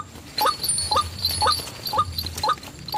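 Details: White-breasted waterhen call played as a bird-trapping lure: short sharp mid-pitched notes repeated about twice a second over a faint high hiss, with some uneven spacing.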